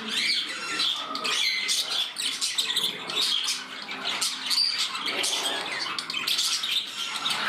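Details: Budgerigars in a room at their new home, one bird getting temperamental: high, harsh, scratchy chatter packed with clicking squawks and thin whistled bits, hardly pausing.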